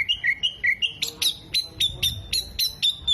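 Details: Oriental magpie-robin mimicking hummingbird, bearded bird and lovebird: a series of short whistled slurs, then sharper, higher clipped notes repeated almost twice a second.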